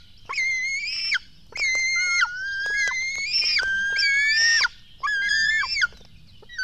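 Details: Black stork chicks begging during a feeding at their Latvian nest, early morning of 24 June 2016: long, drawn-out, shrill harmonic wails with slight pitch steps, several overlapping, broken by brief pauses.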